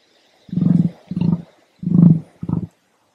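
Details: Emu at Lithgow, New South Wales, one of a pair, utters four low, pulsing booming grunts in quick succession, resonant and rumbling, with brief pauses and no other sounds.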